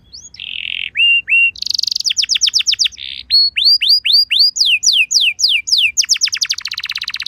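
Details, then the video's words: Lure song of a canary for making other canaries answer: opening buzzy rattles and short whistles, then clear rising upslurred notes repeated in quick series, ending in a dense rapid trill. "Bakal Langsung Nyaut Burung Kenari Kondisi Apa Saja Dengan Pancingan Kenari Lagu Mewah Ini"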